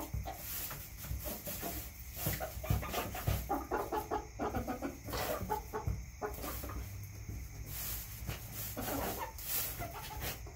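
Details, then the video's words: Backyard chickens clucking in a steady chorus of short, overlapping low clucks, with a constant background hum and scattered taps. "CHICKENS CLUCKING"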